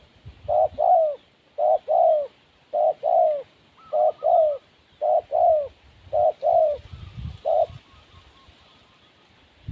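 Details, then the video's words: Spotted dove, wild, delivering a regular series of double coos, a brief note then a slightly longer one, about seven pairs evenly spaced before ending on a single note, then quiet. "Burung Tekukur Liar Kurang Mental"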